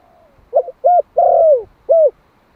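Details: Clear close phrase from a one-year-old Malai spotted dove used to draw in wild doves: a quick double note, a round hollow coo, a long sliding descending coo, then one crisp closing coo, in silence.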